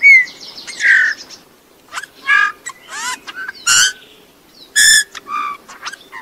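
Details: Song of a Eurasian bullfinch: a quiet, rambling string of creaky, grating notes, rising and falling whistled slurs and brief crackles at irregular intervals.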